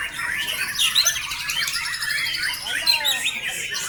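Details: White-rumped shama song played as a lure to build a bird's confidence: a dense, rapid stream of high whistled and warbled phrases, with other birds chirping.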